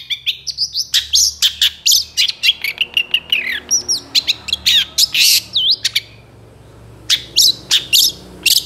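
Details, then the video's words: Long-tailed shrike song used to train other birds, full of mimicked notes: a fast run of sharp chirps and chattering, short slurred whistles in the middle, a brief pause, then more loud scratchy notes. "SUARA CENDET FULL ISIAN GACOR DOR"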